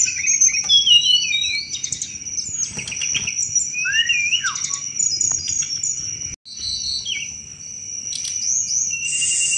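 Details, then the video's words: Chattering 'cetrekan' song from an actively singing Sunda robin, a recording used as a thrush lure; busy twitters and slurred whistles, a short silent gap, then more chatter, with a steady shrill drone throughout. "tledekan gunung gacor cetrekan"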